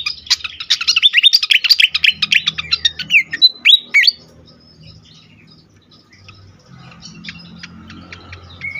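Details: Fantail in an agitated state, meant to attract and excite birds: a rapid, crowded chatter of chips and whistles for four seconds, then near quiet with faint ticks and one last whistle.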